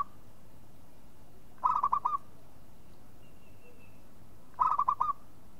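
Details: Two phrases from a local zebra dove, about three seconds apart, each a rapid run of five soft cooing notes, with a faint high whistle in the pause between.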